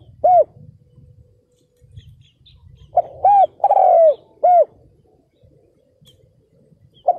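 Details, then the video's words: Spotted dove used as a ground decoy to provoke and lure wild males, recorded in 2022. A soft distant coo, then a loud phrase of four deep, husky, rounded coo notes, the third longest and falling, ending with a single note. "CHIM CU GÁY MỒI ĐẤT KÍCH BỔI CỰC SUNG"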